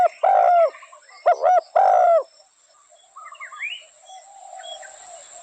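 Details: Spotted dove with three loud, rich coos in the first two seconds, then only soft, faint sounds and a short higher rising note.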